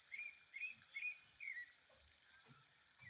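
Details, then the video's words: Thrush singing in the wild: short whistled phrases near the same pitch, repeated about twice a second, with a steady high insect drone throughout. "sabiá top demais, cantando muito na natureza"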